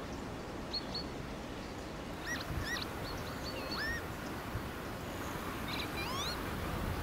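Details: Northern lapwings on a newly made wet meadow on farmland give short, slurred, wheezy whistles, some rising sharply like 'pee-wit', over a steady roar of hard north wind on a sunny, cold day.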